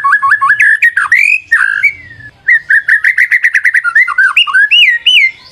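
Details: Lure song of white-rumped shama: rapid repeated whistled notes and rich slurred phrases, a short pause, then a long fast series of chattering notes ending in looping whistles.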